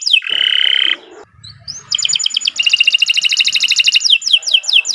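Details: Canary singing as a lure to start birds singing: a harsh buzzy note, brief quiet, then a long fast rattling trill ending in quick falling whistles.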